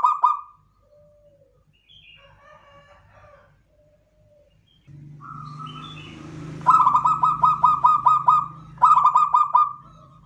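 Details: Local zebra dove, labelled klowongan, repeating bursts of fast pulsed cooing notes, with softer broken notes between phrases. A steady low hum comes in partway through and runs under the later coos.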